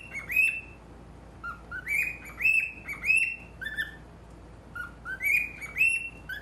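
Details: Cockatiel, male, at a mirror: a steady string of short harmonic whistles alternating higher and lower pitches, with a few harsher squawk-like notes mixed in.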